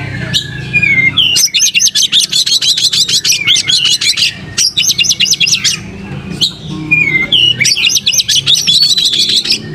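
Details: Oriental magpie-robin singing hard with tail spread: a few opening whistles, then two long bouts of fast, pulsing chatter full of high sharp notes, separated by a short gap.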